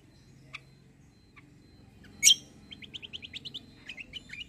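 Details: Kecial kombo white-eye, described as a fighter bird in top form and suited for song training: a single loud sharp chirp, then a quick series of about ten short upward-flicking high notes, over faint low background rumble.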